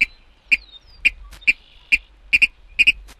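Virginia Rail giving sharp, clicking notes about twice a second, some paired like "kid-ick", against a quiet background.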